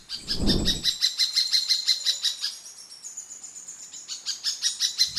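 Uniform Treehunter giving a fast series of high, sharp chipping notes, about three per second, with a brief low thump at the start.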